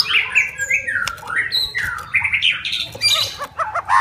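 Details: Fighter-style white-rumped shama calling out rivals: quieter, blurred run of slurred whistles and raspy chatter with rising and falling notes, slightly muddy background.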